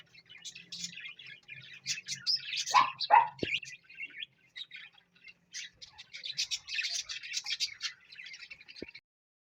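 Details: Pet parrot chattering in rapid high chirps and squeaks, then two loud descending squawks near the middle, followed by dense buzzy bursts of chirping; faint low hum underneath.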